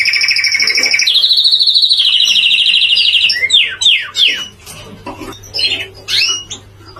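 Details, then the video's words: Canary in a contest delivering a long two-toned trill that shifts into a lower rolling tour, followed by separate sharp downward-sweeping chirps and quieter scattered notes. "The beauty of canary singing"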